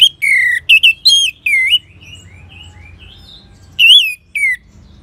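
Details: Orange-headed thrush song for prompting other birds to sing: strong slurred whistles that fall in pitch, a soft warbling passage, then two more loud descending whistles.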